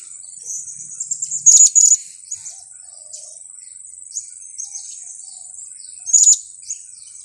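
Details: Kiak-kiak lure call of a blue-crowned hanging parrot, used for trapping. Two quick pairs of piercing high squeaks come early and another pair near the end, all over a constant thin high-pitched hiss.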